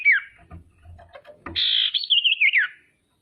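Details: A female common iora calls to make rival birds respond aggressively: a falling whistle and several knocks, then a buzzy burst leading into a wavering whistled trill that descends at the close.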